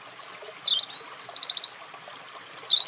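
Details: European robin giving a short high warble and a fast burst of trilled notes, over a soft background hiss like running water.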